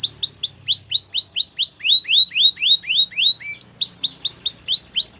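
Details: Canary song used for training canaries: a long unbroken run of arched, slurred whistles about four per second. The phrases shift in pitch from group to group, with one brief pause for a short steady note.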